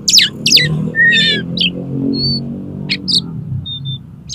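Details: Oriental magpie-robin giving 'konslet' style song to prompt another magpie-robin to open its tail: steeply falling whistled sweeps and a rattling phrase, then sparse short pure notes, against a noticeable low rumbling background.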